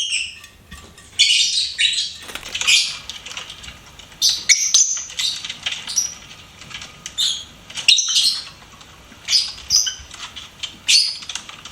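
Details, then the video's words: Pet lovebird chirping and singing: bursts of high, scratchy chirps and squeaky notes, some with short whistled tones, coming in clusters roughly every second with quiet gaps between. "LOVEBIRD SINGING & CHIRPING SOUNDS"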